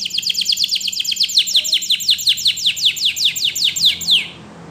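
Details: Belgian canary pouring out a long, steady trill of rapid downward-sweeping notes for about four seconds before falling silent.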